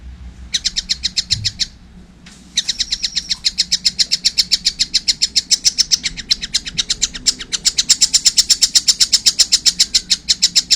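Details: Young collared kingfisher calling eagerly: a fast, steady train of sharp, high chattering notes, about four per second, starting after a short pause and running on without break.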